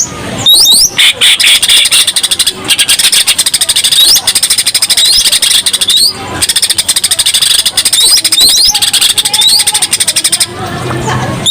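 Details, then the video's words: Lively Greater green leafbird singing a full 'isenan' lure song for other birds: nearly continuous fast buzzy rattling broken by short rising whistled slurs and brief pauses. "cucak ijo gacor full isenan cocok pancingan burung"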